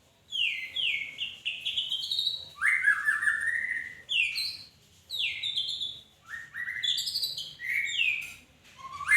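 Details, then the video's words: Magpie-robin singing: a run of loud, clear whistled phrases, some sliding down and others rising steeply, given in bursts separated by short pauses, with no other notable sounds. "Burung Murai berkicau"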